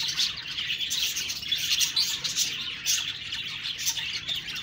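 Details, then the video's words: Budgerigars chirping, with busy overlapping high twittering and brief sharper notes over a steady chattering wash. "Budgies Birds talking sound Birds chirping sounds"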